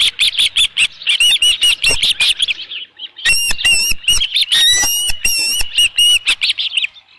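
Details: Osprey at its nest with a headless fish, noon on 27 June 2018; softer whistled peeps give way after a brief lull to a loud, rapid series of sharp rising whistles.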